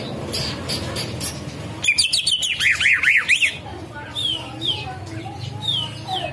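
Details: Green leafbird singing in rapid 'ngetrek' style, delivering 'kapas tembak' mimicry: loud looping, arched whistled notes run together quickly, followed by spaced, sliding high whistles over a low hum.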